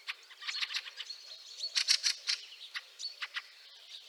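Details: Fieldfare calling in snow, Liepāja, Latvia, March 2023: scratchy chuck notes repeated irregularly, growing louder midway, against thin high whistles and background bird chatter.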